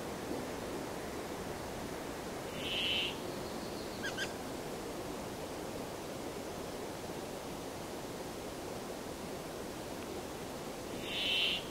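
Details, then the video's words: Brambling singing: two long nasal buzzing wheezes about eight seconds apart, with a faint brief chirp between them over a hiss of outdoor background noise. "The sound of the Brambling"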